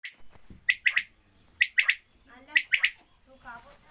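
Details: Quails during watering give sharp, high, clipped notes in quick groups of three. Three such triplets come roughly once a second, with faint low background noise between them.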